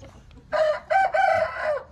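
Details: Hint rooster crowing: a loud, harmonic crow in three linked parts, with a short break after the first note and a long held final section, over quiet background.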